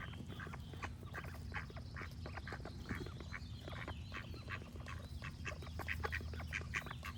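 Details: A flock of ducks keeps up rapid, crowded quacking for several seconds while other birds sing high overhead against a constant low rumble.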